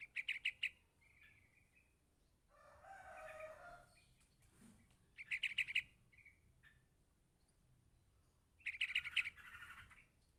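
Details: Yellow-vented bulbul chick calling to its parent with three separated bursts of rapid, high, piercing chirps, broken by a lower, rasping, noisy sound and short quiet gaps.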